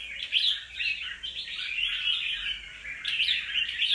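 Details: Red-whiskered bulbul, a wild-caught bird after two moults, sings busy chattering phrases of bright whistled notes, rising and falling, with short louder flourishes at the start and near the end.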